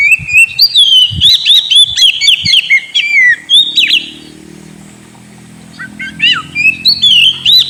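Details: Caged Oriental magpie-robin lure song used to prompt a sulking bird to sing: loud, varied clear whistles, rapid looping and rising-falling phrases with sharp high notes, a brief pause, then renewed whistling; a few low thumps and faint engine hum.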